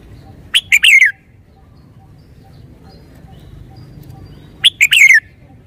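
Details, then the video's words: A caged red-whiskered bulbul gives two identical short phrases about four seconds apart, each of sharp whistled notes ending in a drawn-out downward slide. "นกกรงหัวจุก 535 จ้าวคำหมาน ชัดเจนเน้นทุกดอก"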